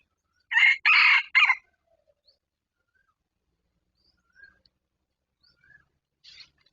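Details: Red junglefowl in the wild, approaching a decoy bird, crows once in three rough segments, short, long, short, then silence with only a few faint distant chirps.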